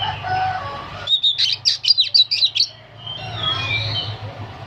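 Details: Old oriental magpie-robin (kacer) singing nonstop in nyerecet style: a rapid, loud series of sharp, buzzy high notes lasting about a second and a half, between softer warbled whistles, with a low hum behind.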